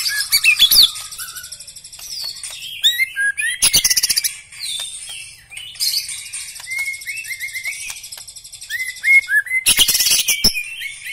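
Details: White-rumped shama, black-legged type, in extended song: high scratchy twitters and rattles, repeated upslurred whistles, and two sudden loud buzzy bursts of noise.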